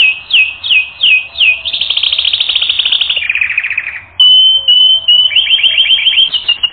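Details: Canary song from a training recording: descending slurred notes repeated about three times a second, then a long rapid buzzy trill, a lower rattling roll, a clear steady whistle and a final series of quick chirps.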